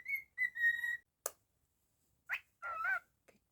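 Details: Pet cockatiel, a male, indoors: a few short, clear whistled notes, flat and slightly falling, separated by brief pauses, with a sharp click and two buzzier chirps near the end. Quiet overall.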